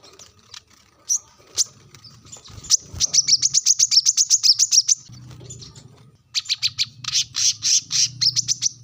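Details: Brown-throated sunbird calling to rivals with a sharp voice: a few isolated high chips, then a long rapid chatter of piercing ticks, a short lull, and another harsh rapid series.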